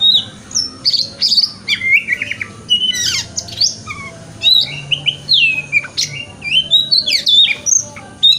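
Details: Morning song of a male white-rumped shama, played to encourage a caged shama to open its tail: varied whistles, harsh squawky bursts, quick trills and rising notes, with a faint low hum underneath.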